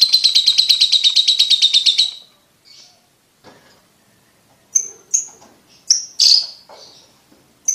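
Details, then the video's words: Lovebird giving its ticking call, used as a lure to get young lovebirds trilling quickly: a fast, even train of high clicking ticks for two seconds, then a pause and scattered sharp shrill chirps. "Lovebird Ngetik Ngetik Untuk Pacingan Paud Cepat Ngekek"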